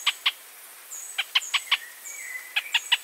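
Pinto's spinetail gives short, sharp, dry notes, often in quick pairs at an uneven pace, with thin high whistles from other birds behind.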